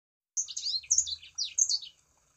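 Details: Sangihe shrike-thrush song played as a lure to get other kept birds of its kind singing: a short run of high, clear whistled notes with quick slurred rises and falls in three brisk phrases.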